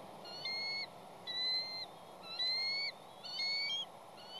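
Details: At a nest on Catalina Island, a Bald eagle with two eaglets awaits its mate's fish delivery. It gives four thin, high whistled calls about one second apart against constant hiss.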